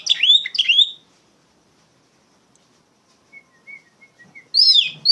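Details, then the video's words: Oriental magpie-robin with a loud, lively song for tutoring untrained poci birds: two strong swooping whistled phrases, a pause, faint thin whistles, then another loud burst. "PANCINGAN KACER NGEPLONG GACOR SUARA LANTANG COCOK UNTUK MASTERIN POCI BAHAN"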